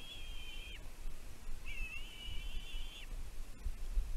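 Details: Bald eagle chick on its Catalina Island nest in California, captured by nest camera in June 2023 while calling over food deliveries from its mother. Two sustained, shrill, even whistles that drop off at the end; low background hum.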